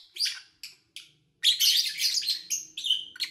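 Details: Pet lovebirds in August 2019, recorded with little engine noise: a few isolated sharp chirps, then a sustained, dense stretch of shrill chattering with a faint low hum beneath.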